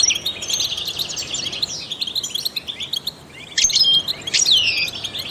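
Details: Trained European goldfinch singing to stimulate other songbirds: a fast, continuous twittering of high, tinkling and buzzy notes, a brief pause, then a burst of sharp whistled and slurred notes, with steady background hiss.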